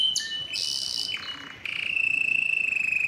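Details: Yellow canary song with a quick high note, a harsh buzzy burst, a low rasp, then a steady trilled tone that pulses rapidly.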